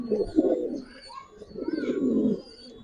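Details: Giribaz pigeons in a keeper's collection, heard indoors: two low, throaty, rolling coos, each about a second long with a brief pause between, and faint background murmur.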